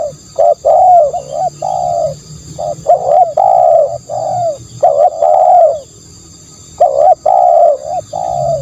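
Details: Spotted dove song of low, rounded coos in clustered phrases, with a silent stretch midway before the cooing resumes. A faint constant high tone accompanies it.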